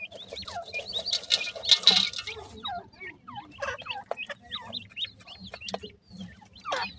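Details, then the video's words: Grey francolin chicks calling: many short, thin, high peeps and chirps, some rising and some falling, overlapping in quick succession, with a burst of harsh broadband noise near the start. "bhoray teetar k bachay,pheasant bird chicks ki voice,partridge babies"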